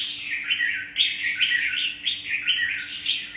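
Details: Mature wild-caught Vietnamese Red-whiskered Bulbul, caged as a competition songbird, pours out rapid liquid warbling phrases almost continuously, cheerful and slurred, with a quiet steady hum in the background.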